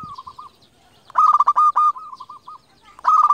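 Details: Local zebra dove, a champion lure bird used to call and provoke rivals. One loud burst of rapid, rolling coos is followed by a softer, evenly spaced series of mellow coo notes, with further loud rolling coos at the end.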